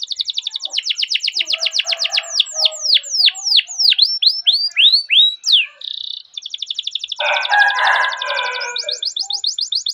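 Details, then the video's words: Canary rolling song used as a training lure for young canaries: rapid high trills, then a run of sweeping downslurred whistles, a buzzy burst and a lower harsh churring passage, ending in renewed fast trilling. "Masteran Suara Burung Kenari Ngerol Panjang cuit cuit untuk Pancingan Kenari"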